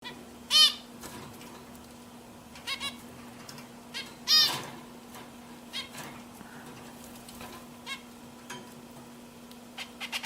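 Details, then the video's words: Pet zebra finches kept at home giving two loud, nasal, harmonic-rich calls about four seconds apart, with faint softer notes between them over a steady low background hum. "My Zebra Finches Singing"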